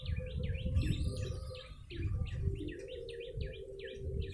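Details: Yellow-bellied prinia lure call: quick, repeated twangy chirps dipping and rising in pitch, about three a second, over a soft hum and low background rumble.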